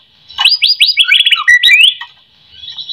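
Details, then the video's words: White-rumped shama song used to prompt other shamas to sing: a fast run of loud, high, rising-then-falling whistled notes, followed by a lower downslurred phrase and a short twisting note before fading into quiet. "AMPUH buat pancingan murai"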